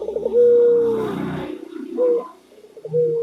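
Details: White local Barbary dove giving a long level coo and two shorter hoots over a rough, rumbling background noise that masks the opening.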